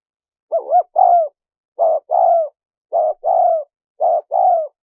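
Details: Spotted dove recording used for luring wild doves: four two-part coo phrases, a brief note then a drawn-out falling coo, repeated roughly every second. The background is silent.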